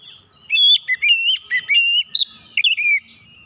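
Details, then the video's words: Lure song of an oriental magpie-robin, meant to get other birds singing: a rapid run of loud, pure whistled notes, some dipping and some rising, packed closely for about two and a half seconds. "kicauan Kacer pemikat"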